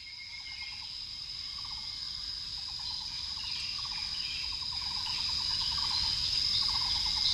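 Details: Taiwan barbet feeding at Eighteen Peaks Mountain, Hsinchu, on 9 June 2018 between 07:30 and 09:30, gives short bursts of low, hollow, rapidly pulsed notes about every second, over a loud, steady, high-pitched insect buzz.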